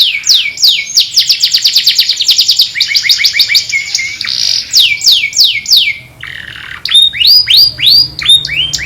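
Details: Master canary singing: dense runs of rapid chirps and buzzy trills, then after a short dip a series of rising, hooked whistled notes repeated about twice a second.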